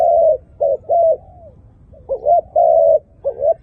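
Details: Dove with a good voice cooing: a long hoot, short notes, a soft falling note, then a quick double note and a long steady coo followed by another short pair.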